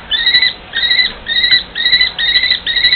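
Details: A pair of common kestrels trade drawn-out, quavering whining calls in a long back-and-forth, about two each second and each lasting under half a second.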